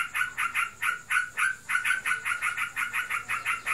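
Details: Pet yellow-vented bulbul in a cage, said to be in breeding condition, repeats a steady series of short, harsh pulsed notes about four to five per second, with little background noise.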